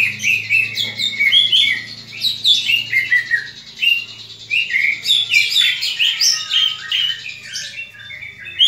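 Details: Greater green leafbird in combative voice, a call used to rouse other leafbirds to fight: dense, energetic stream of high chirps, slurs and buzzy notes, barely pausing, with a faint low hum beneath.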